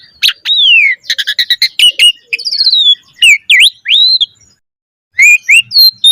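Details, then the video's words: Asian pied starling in full song, rich repertoire used as a lure for other starlings: downslurred whistles, rapid stacked chattering notes, a rising buzzy phrase, then a brief pause before sharp whistled notes resume. "Suara Jalak Suren Gacor Full Isian Mewah Auto Bongkar Isian Pancingan Burung Jalak Agar Isian Bagus"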